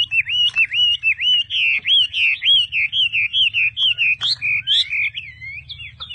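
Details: Chinese hwamei in a cage repeating a loud looping whistled note many times in steady succession, roughly three per second, then breaking into varied higher slurs and chips; low hum behind.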